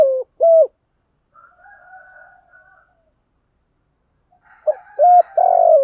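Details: Spotted dove cooing in the morning, compiled for stimulating decoy doves: short arched coos at the start, a faint buzzy murmur mid-way, then a phrase of rounded coos ending in a longer drawn note.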